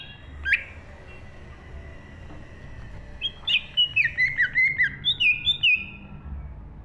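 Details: Green leafbird in full, lively song, 2023 recording: a single sharp note, then rapid bursts of clear, sliding whistled notes around mid-high pitch, repeated quickly and unevenly, with a faint low hum underneath.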